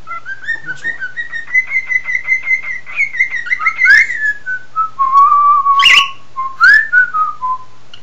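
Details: Male cockatiel kept as a pet, singing as its owner whistles with it: a long run of rapid, pulsed, buzzy whistles holding a steady pitch, then plainer falling whistles and short sharp notes, with a faint hum throughout.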